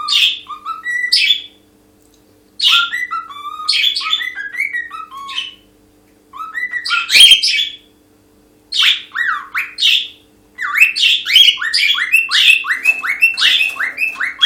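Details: A pet cockatiel sings in the morning, bright warbling whistled melodies in bursts separated by short pauses.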